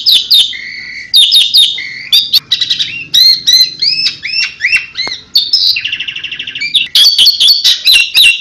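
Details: Asian pied starling delivering 'tembakan' song: a varied stream of ringing whistles, looping upslurred notes, sharp clicks and a short buzzy trill in the middle, then dense chattering phrases to the end.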